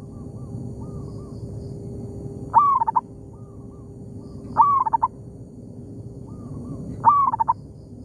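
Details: Local zebra dove calling in answer to a decoy bird in an oil palm plantation: three loud stuttering coos about every 2.3 seconds, each a rising slide and then rapid short notes. Faint distant coos answer in between.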